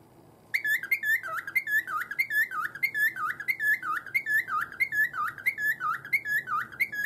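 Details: Pet cockatiel in a cage, busy banging its cage and then whistling as it warms up: bright whistled notes with broadband clicks, repeated about one and a half times a second in a steady rolling rhythm, indoors.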